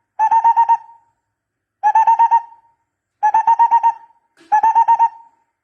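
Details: Decoy recording of a barbet: four rhythmic bursts of hollow, pulsed notes, each about half a second long and fading at the end, spaced about one and a half seconds apart.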